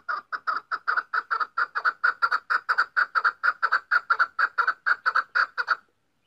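A female chukar partridge gives a fast run of hoarse, clucking chuk notes, about four a second, for roughly six seconds, with no other sounds.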